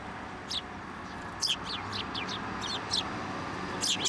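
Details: Sparrows at a Tenmangu shrine, 10 December 2023, flying onto an outstretched hand to be fed; a run of short, high, downward chirps, several in quick succession, ending with a louder cluster over a faint steady hum.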